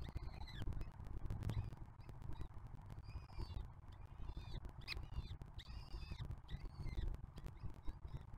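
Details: Peregrine falcons at a nest box on the Museo de América during breeding season, a juvenile from the 2023 brood feeding younger siblings from 2024; scattered high arched harsh calls, some paired, over a constant low rumble.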